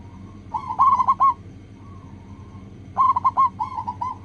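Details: Local zebra dove song played to stimulate other doves into singing: two phrases of quick, bright cooing notes, each rolling burst of about five notes ending in softer coos, over a low background hum.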